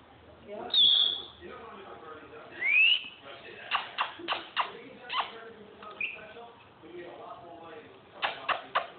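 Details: Captive African grey parrot making varied sounds: a loud high whistle, a rising slurred whistle, then a run of sharp clicks and short chatter notes, ending in another cluster of clicks.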